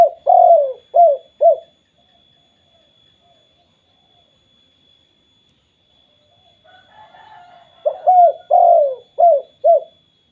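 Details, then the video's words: Two phrases of mellow coos from a spotted dove, separated by a long quiet gap with faint cooing in between, and a thin steady high tone throughout. This 'kuk 2' call triggers other doves to call. "BURUNG TEKUKUR KUK 2 BIKIN TEKUKUR LAINNYA BUNYI"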